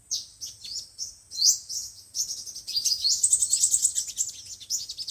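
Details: Five- and seven-coloured sunbird song used in speaker trapping: a few high upslurred chips, then a rapid, shimmering high twitter of closely packed notes.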